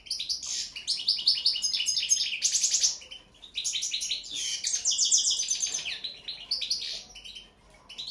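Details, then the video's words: Continuous bright twittering from a European goldfinch, dense high chattering notes mixed with buzzy trills and short whistles. "Pesma štiglića, češljugara ŽUTOZELENI"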